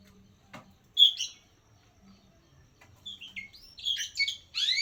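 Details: Oriental magpie-robin singing to seek a rival; after a faint start, one loud whistled note, then a busy run of descending slurs, chips and harsher notes building toward the end.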